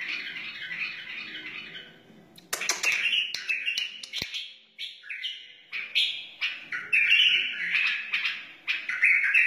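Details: Song of a wild white-eared bulbul: repeated warbled bursts with sharp clicks and brief gaps, growing louder and more continuous toward the end.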